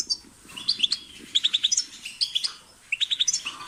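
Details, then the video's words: Short goldfinch phrase: crisp high tinkling notes in quick groups of three or four, separated by short gaps, clear and close. "The sound of the goldfinch's chirping"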